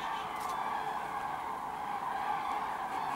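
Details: Common cranes arriving to roost in the Kvismaren wetland among 24,000 birds; overlapping bugling calls form a constant chorus, with faint rustling from the handheld recording.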